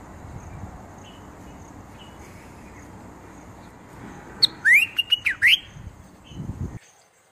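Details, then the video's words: A bulbul delivers a lively run of four or five upward-sweeping whistles punctuated by sharp clicks, then falls quiet amid soft background noise. "Bulbul pakshi"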